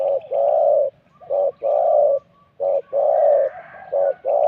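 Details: Spotted dove recorded at a decoy-luring session, spot 41: mellow, muffled coos, a brief note then a longer drawn-out one, repeated in steady pairs roughly every 1.3 seconds over a soft rural background.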